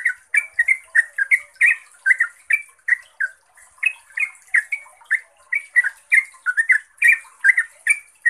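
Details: Yellow-vented bulbul pouring out a long, clear, rapid song, played as a lure for training bulbuls. Lively chattering notes come about two or three per second, each a short slurred twist, in an unbroken stream over faint high hiss.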